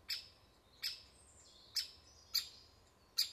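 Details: At its nest, a woodpecker gives five sharp, high, clipped calls spaced unevenly about a second apart against a quiet background with a faint steady hum.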